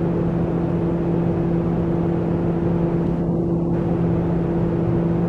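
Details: Steady low engine hum with two constant tones and a broad vehicle rumble; no animal calls.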